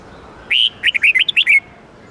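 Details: A Red-whiskered bulbul gives a quick, bright phrase of about eight twisting, whistled notes over one second, mid-high and lively, against a quiet background; a training recording of 8-9-10-note twisting song meant for daily practice.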